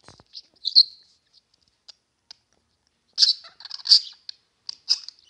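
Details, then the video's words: Budgerigars playing, giving scattered high chirps and squeaky warbling notes in short bursts separated by silent gaps, with faint clicks. "Wellensittiche am Spielen"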